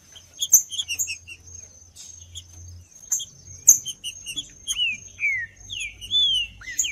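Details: Green-winged saltator song, used to stimulate cold captive birds kept for singing tournaments: short high chirps repeat over a steady high tone, then loud slurred whistles sweep downward in the second half, about one every half second.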